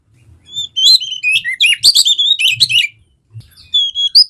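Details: Song of an Oriental magpie-robin (kacer), played to prompt a lazy bird to sing: a dense run of sharp whistles, slurred notes and harsh chatter, then a brief pause and a few clear high whistles.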